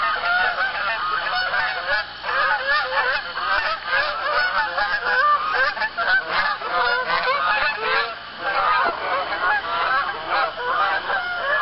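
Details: Flock of geese calling at dusk on a pond in Arkansas, 1 October, as more birds fly in and land; a dense, continuous chorus of overlapping honks.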